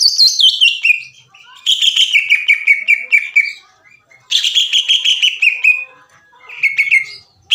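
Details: Greater green leafbird, recorded as a master and lure song with long 'ngekek' like a sewing machine: a falling whistled phrase, then a long fast rattle that drops in pitch, repeated after a pause, and a short closing burst.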